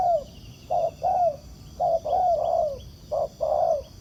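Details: A wild spotted dove responds with cooing to a decoy bird set on the ground for trapping. Soft, hollow two-part coos, a brief note then a longer sliding one, repeat at uneven gaps.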